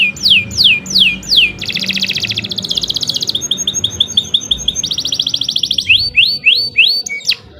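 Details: Canary singing a long, vigorous song: rapid high downslurred whistles, buzzy trills and dense rattling rolls, changing phrase every second or so, with faint low background hum.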